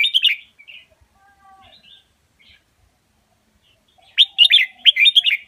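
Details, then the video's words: Indonesian red-whiskered bulbul master song for teaching young birds: a bright warbled phrase, a quiet gap with faint notes, then two loud rapid chattering-whistled phrases. "นกกรงหัวจุกอินโดเบิ้ลเพลงแม่บทอาชีพ เปิดสอนลูกนก"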